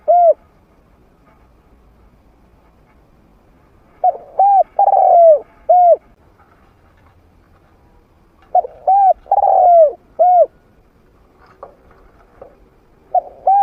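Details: Trained spotted dove with a medium-pitched voice, used as a decoy to draw wild doves in to fight. Three phrases of soft coos, each a short wavering double note followed by a longer coo that slides down at the end, separated by silent gaps.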